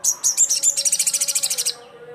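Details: Crimson sunbird calling rivals: a very high, sharp, rapid trill of about twenty evenly spaced notes over under two seconds, first a few longer notes, then fading out over a faint low hum.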